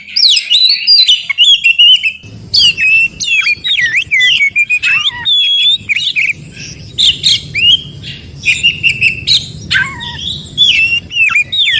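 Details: An Oriental magpie-robin in the forest, its song used as therapy to get non-singing magpie-robins going again. It delivers a dense chain of varied whistles, upslurred and downslurred notes, and scratchy chatter in quick phrases.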